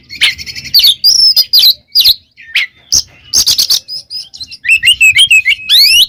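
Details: Singing oriental magpie-robin, kacer in 'gacor ngeplong' form used as a tutor for pet birds, mixing scratchy chatter, sharp clicks and sweet whistles, ending in rapid rising whistled phrases.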